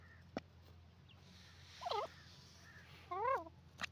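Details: Grey francolin, known locally as dakhni teetar, giving two brief wavering harmonic calls a little over a second apart, each sweeping up and down, over a quiet background with a low hum and a few clicks.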